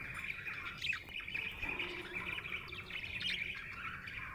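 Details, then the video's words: Soft, continuous budgie chatter: a happy bird twitters in a dense, buzzy warble with quick squeaky notes and no pauses. "Happy budgie chirping sound"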